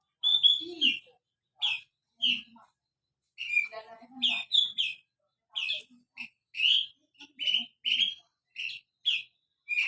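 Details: Javan bush lark in full song while dancing on a rock, its voice called crystal-clear: short bright chirps and slurred notes in separate bursts about every half second, with faint low murmurs beneath.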